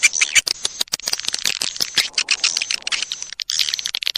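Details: High, dry chattering of a swiftlet lure call, the kind swiftlet keepers use to draw birds in: dense clicky twitters with brief gaps between bursts.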